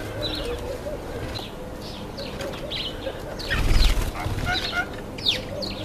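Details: Common myna (Indian myna) at a feeding table, giving short, chattering chirps and squeaky notes every second or so, over a low rumble and a burst of wing flaps.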